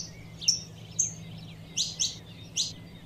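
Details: Female Saffron finch calling to stir up the male: five short, sharp, high chirps spaced irregularly, some with a brief flat whistled note, over a steady low hum.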